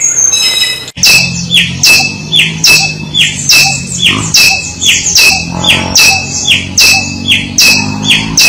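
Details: Samyong song, a tutor recording for songbird training: a short squeaky phrase, then regular sharp high chirps at roughly one per second over a low hum.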